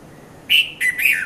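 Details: Morning call of a red-vented bulbul, 5:30 to 5:40 a.m., Mount Lavinia, Sri Lanka: three loud, slightly harsh whistled notes in quick succession, the closing note dipping in pitch.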